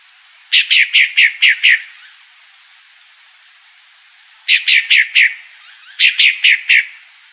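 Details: A female Pale-breasted thrush calls with quick bursts of four to six harsh, raspy chattering notes, pausing a few seconds between bursts, over a faint background hiss.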